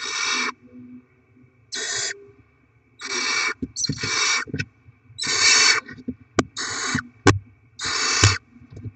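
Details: Nest of barn owls during rodent deliveries to the young; a series of six harsh hissing screeches, each about half a second long, spaced one to two seconds apart, with sharp clicks and scuffling between them.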